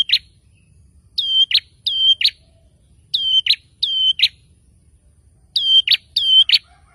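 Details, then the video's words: Male prinia singing persistently to provoke rivals into answering: paired phrases of a flat high whistle followed by a sharp falling note, given in bursts of two with pauses between, over a quiet low hum. "SUARA PRENJAK JANTAN GACOR NGOTOT BIKIN LAWAN CEPAT NYAUT"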